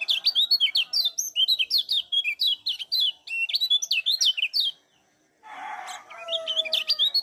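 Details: Nonstop chatter of a lemon-bellied white-eye from Lombok, used to stimulate other birds: quick high twittered slurs for five seconds, a short silence, then a harsh rustling burst before the chirping returns.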